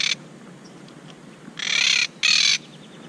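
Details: Monk parakeets building a nest are upset and fussing at the camera after someone climbed their tree. Two harsh, grating squawks, each about half a second long, close together, with a brief clipped squawk at the start.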